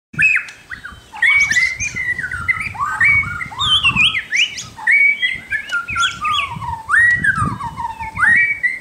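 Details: White-crowned shama singing a rich, varied song of loud whistled phrases, some sliding down and others rising, with quick bright notes in rapid succession, delivered almost continuously with brief pauses.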